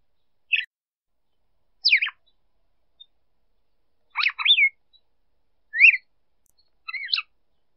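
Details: A female red-cowled cardinal sings to stimulate a male, cleanly recorded without noise: five short clusters of whistled, sliding notes, one a quick double phrase, separated by pauses of over a second.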